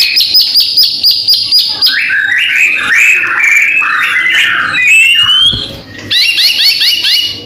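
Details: Caged white-rumped shama from Medan in full, lively song, ready for a singing contest: rapid repeated high notes, then varied warbling phrases sliding up and down, followed by a fast series of rising chirps.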